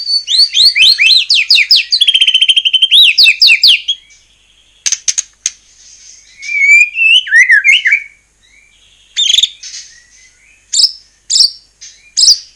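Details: White-rumped shama singing to rouse other shamas into song: a rapid rippling cascade of high slurred notes for four seconds, then scattered whistles, short phrases and sharp isolated calls.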